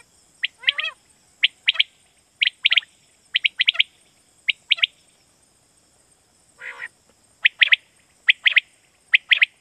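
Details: Lure call of quail for night hunting in Pakistan: crisp, high clicking notes in quick doublets and triplets, about seventy a minute, with one rising warble near the start and a short rasp midway; faint electronic tone throughout.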